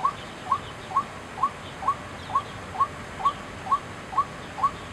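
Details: Calling at Chiang Kai-shek Memorial Hall, 6 September 2012, a white-breasted waterhen repeats a brief rising 'kwek' note at an even pace, eleven notes in five seconds, against quiet ambient hiss.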